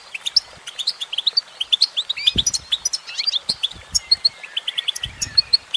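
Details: Continuous high, jingling twitter from a female goldfinch, notes tumbling quickly with small pauses, and a faint low knock now and then.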